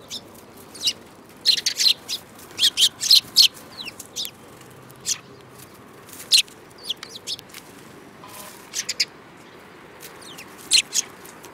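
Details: Lively sparrows giving short, sharp chirps in irregular clusters, some doubled or tripled, with quiet gaps between bursts and a faint low hum beneath.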